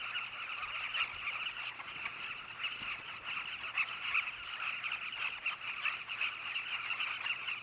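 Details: A dense, unbroken chorus of carmine bee-eaters at Zambezi Mubala Lodge, Namibia, with many birds giving overlapping throaty, rolling notes as a steady mid-pitched chatter.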